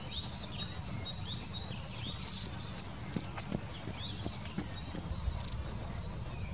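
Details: High, thin Long-tailed tit calls, short slurred and buzzy notes scattered over six seconds, with soft tapping clicks in the middle and a low background rumble.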